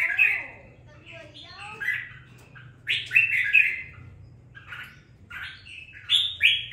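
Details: Red-whiskered bulbul in captivity after two weeks of care, its voice starting to show fire: quick chirpy, fluty phrases in clusters with pauses between, a steady low hum underneath.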